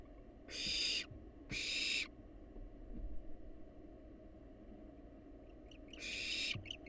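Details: Two long harsh hisses from wild barn owls in a monitored nest box, a quiet gap with soft knocks, then a final hiss mixed with brief chirping notes.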